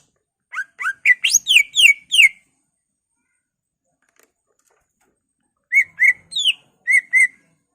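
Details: Greater green leafbird singing a ngentrok-style song with isian (borrowed phrases), used to stir other leafbirds into agitation: seven loud rising and falling whistled notes near two to four kilohertz, a pause, then five more clipped notes.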